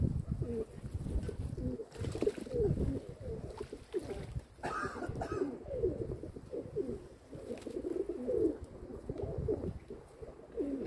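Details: Steady low cooing from a group of kept domestic pigeons, with overlapping wavering phrases throughout, broken briefly by a rustle or flap midway.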